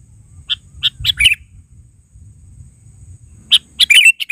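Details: Sooty-headed bulbul, locally kutilang, calling busily: a string of short chirped notes building into a slurred phrase, then after a two-second gap a louder, denser burst of rapid chirps, with low rumble underneath.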